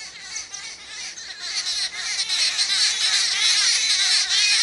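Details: Jungle babblers squabbling in a group territory fight: a harsh, squeaky chattering chorus, many birds calling over one another in a constant high-pitched squabble that grows louder.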